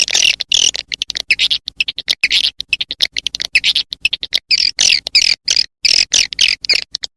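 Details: Swiftlet calling sound used to attract swiftlets, a lure track known as "SP Mama Mudah": loud, dense bursts of high, buzzy chattering chirps in rapid irregular pulses separated by brief silences, continuing throughout with no other sounds.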